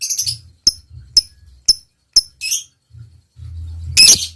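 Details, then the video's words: Lovebird on a lure recording meant to provoke long chattering replies: several sharp high ticking chirps about half a second apart, a short buzzy burst, then a loud harsh squawk near the end over a faint low hum. "suara lovebird gacor ini SANGAT DI REKOMENDASI untuk MENJADIKAN lovebird gacor NYAUT NGEKEK PANJANG"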